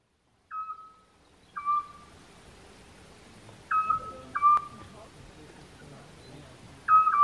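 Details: At least two owls calling in the evening at a campsite near Sartène, Corsica: short, clear whistled notes, each steady or slightly falling, five times at uneven gaps of one to two seconds over faint hiss.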